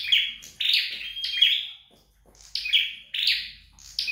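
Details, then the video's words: Flowerpecker being trained at home: high, shrill chirps and thin whistled notes in short clusters, a silent gap in the middle. "Dợt Sâu Đầu Đỏ Tại Nhà"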